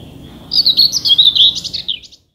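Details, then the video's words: Scratchy, hurried song of a common whitethroat from Danish summer scrub: one rapid phrase of jerky chattering and warbled notes, about one and a half seconds long, ending abruptly into silence. "Tornsanger - Sådan synger Danmarks fugle"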